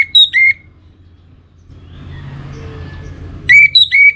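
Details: Caged Orange-headed thrush, northern Bali, Singaraja: short bursts of two or three loud whistled notes, some high and some lower, separated by about three seconds of low background rumble.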